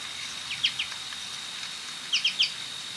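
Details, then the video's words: American goldfinch gives short, high, slurred chips, two notes then a quick run of three, over a steady high hiss. "American Goldfinch 🔊 Beautiful Bird call"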